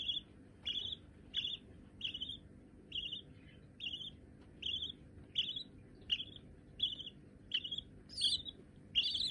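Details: White budgerigar babies, already tame enough to perch on a hand, calling with rasping, slightly rising chirps repeated roughly every 0.7 seconds, the last few louder and sharper.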